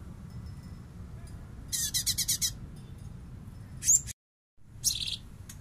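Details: Light-vented bulbul in full 'bessetan' song, played as master song for training cage songbirds: a quick run of six buzzy pulsed notes, then two sharp high chirps with a brief silent gap between them, over a low steady background hum.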